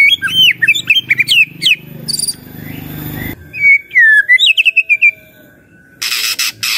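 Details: White-rumped shama song for rousing other shamas to answer: tumbling varied whistles and sharp notes in rapid sequence, a noisy lull, more looping whistled phrases, then a harsh burst at the end.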